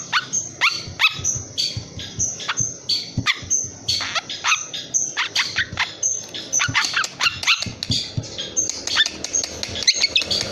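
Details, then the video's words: Very noisy three-month-old young long-tailed shrike, still calling after its tail feathers were pulled out: a fast, continuous series of harsh, sharp chattering notes, each a quick downward flick, repeated several times per second. "piyek cendet 3bln super bandel. habis di cabutin ekor..tetep bunyi."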